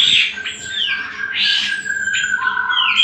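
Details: Greater green leafbird song used as a lure and master recording for training other birds: loud, varied whistled and squeaky phrases with long sliding whistles and rapid trills, over a faint steady low hum.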